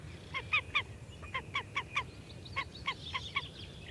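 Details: Slavonian grebe giving a dozen short nasal, harmonic notes, spaced unevenly and partly grouped in threes, with a low background rumble.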